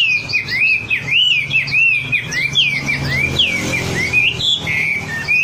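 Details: Wambi singing as a lure for caged birds: a loud chain of looping, wavering whistles that rise and fall quickly, with thin high notes mixed in.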